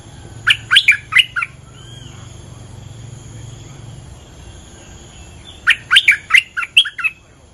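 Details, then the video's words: Bulbul territory owner singing: a burst of five jumbled warbling notes, a quiet gap with a low hum, then a longer chattering phrase of about seven liquid notes. "เสียงนกดอกแตงEp.238 จ้าวถิ่นกระโดดใส่!! Suara pikat merbah lekir gacor"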